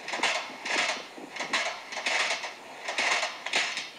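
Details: A single bowerbird mimics a hand saw with harsh, rasping strokes about every 0.7 seconds, so mechanical it could pass for a real saw; its mimicry also includes construction workers talking and noisy machines.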